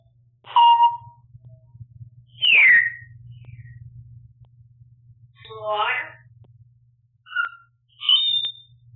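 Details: African grey parrot chattering at home, captured on a bird camera: a string of varied sounds spaced over several seconds, including a harmonic note, a sharply falling whistle, a raspy word-like burst and short high chirps, over low hum.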